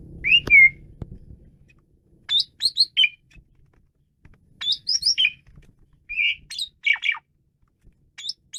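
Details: Asian pied starling in energetic song: short clusters of sharp, high whistled and chirping notes come in separate bursts every second or two, with a low thud at the start and quiet gaps between phrases.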